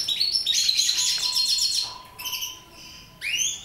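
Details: Mutation goldfinches sing a rapid, tinkling twitter of high, bright notes, about four a second, with a faint steady mid-pitched hum behind it.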